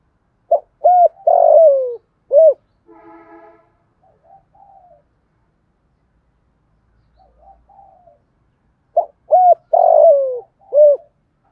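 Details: Spotted dove used as a decoy, cooing to draw wild doves in fast. It gives loud, low, hollow coos in a short burst, then goes quiet except for soft, faint notes and a brief buzzy sound. It finishes with a second burst of coos.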